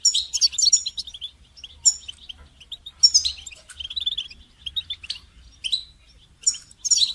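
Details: Goldfinch song for songbird training: scattered phrases of high, sharp chirps and quick liquid twitters, separated by brief gaps. There is faint low hum underneath.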